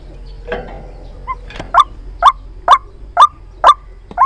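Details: White-breasted waterhen decoy call used for trapping: sharp, clipped notes repeated at a steady pace of about two per second, each note a short downward-bending burst, following a few softer, irregular lead-in sounds against a quiet background.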